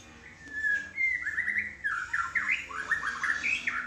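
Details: White-rumped shama kept on a terrace, singing a varied run of clear whistled and slurred phrases, rising and falling notes strung closely together in a lively sequence.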